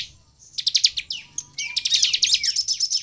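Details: Brief burst of energetic bar-winged prinia song meant to set off other prinias: a soft opening note, then rapid high clicking trills building into a dense buzzy run.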